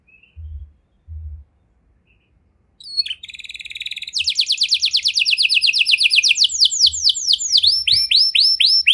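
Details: Canary singing a showy, ornate song style (cengkok mewah): after a few low thumps and brief faint notes, a fast buzzy trill starts near three seconds and turns into rapid repeated sweeping notes that slur downward, with occasional higher whistled notes.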